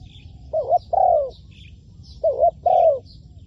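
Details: Decoy spotted dove used in trapping, calling two loud mellow coo phrases about 1.7 seconds apart, each a brief wavering note followed by a longer downslurred one, with faint distant bird chirps behind.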